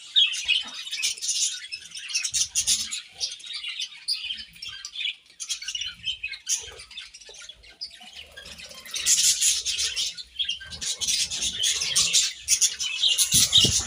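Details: Budgerigars eating grass chatter in irregular high chirps and squawky warbles, a quieter stretch giving way to a louder dense burst near the end.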